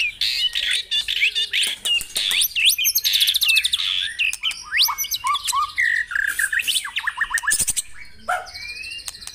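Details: Caged white-rumped shama song played to stimulate other caged birds to sing: varied fast whistled phrases, rapid trills and sweeping notes at high pitch, delivered in quick succession with short pauses, no other clear sounds.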